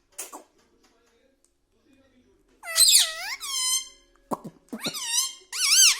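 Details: Pet parrot talking at home, said to repeat mithu and mummy papa: quiet start with a faint click, then several loud, nasal, speech-like syllables with dipping and rising pitch in quick succession.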